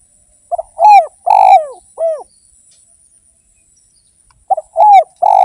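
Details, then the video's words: Actively singing spotted dove used to draw others into song: two throaty coo phrases about four seconds apart, each with a short stutter, a loud rasping coo and a downward-curving end. "PANCINGAN BURUNG DERKUKU GACOR"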